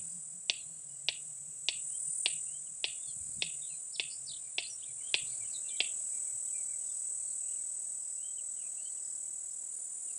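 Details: A male red-crested korhaan gives its click call, about ten sharp, dry clicks, roughly one every half second, then falls silent, with a steady high insect drone throughout.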